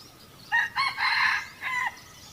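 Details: Red junglefowl crowing during decoy trapping in 2020, two birds coming in: one crow in four parts, two short notes, a longer harsh middle and a drawn-out falling end, over a soft background hiss.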